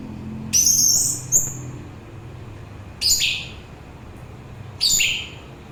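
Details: Orange-headed thrush song, used to soothe tired listeners and to lure birds: three short, very high, sharply descending whistled phrases, each about a second apart or more, separated by quiet background hiss.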